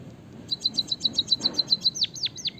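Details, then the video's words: White-headed munia from Java, singing with a long rolling canary-style fill: a rapid series of about twelve bright, even chirps, followed by three loud whistled notes that swoop steeply downward. "suara burung emprit peking bondol kaji gacor isian kenari ngeroll panjang"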